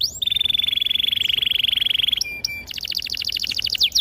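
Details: Canary singing to help young canaries learn: a long, even high trill held for about two seconds, short chips, then a rapid pulsed trill of repeated notes.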